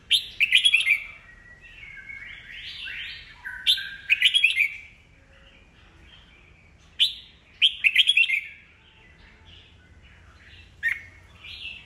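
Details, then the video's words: Red-whiskered bulbul, an old bird matured in the wild, singing to provoke newly caught birds into competitive singing: bursts of bright, warbled, rapidly modulated phrases, some buzzy and rising, separated by quiet gaps of a few seconds. "Chào mào già rừng bọng cực hay, siêu kích bổi, bổi nghe là hót đấu"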